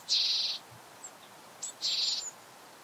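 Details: Japanese Tit at close range giving two harsh buzzy calls, each about half a second long, separated by a short pause with a faint chip.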